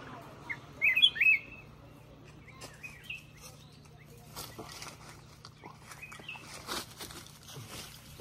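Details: Black-crested bulbul giving a loud, quick whistled phrase of a few slurred notes early on, followed by softer chirps, clicks and rustling noises, with a low background hum throughout.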